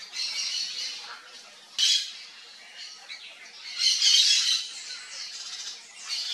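Yellow-faced parrot giving harsh, raspy squawks in bursts, loudest around two and four seconds, over a steady high hiss of background chatter.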